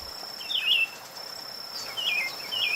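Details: Buff-throated Saltator (Saltator maximus) in Brazil giving short, sweet whistled phrases that slide up and down, one early and two close together near the end, over a steady high insect drone.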